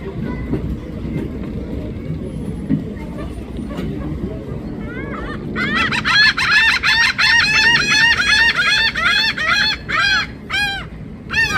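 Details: Birds calling loudly: after several seconds of low rumble and talking, a rapid series of harsh, nasal, honking notes with rising-falling pitch begins, repeated about three times a second by overlapping callers.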